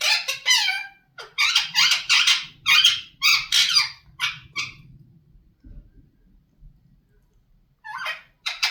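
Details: Indian ringneck parakeet gives a fast run of harsh, raspy, high-pitched word-like syllables, about a dozen in four seconds, then a pause with soft low rustling before two more brief squawky notes.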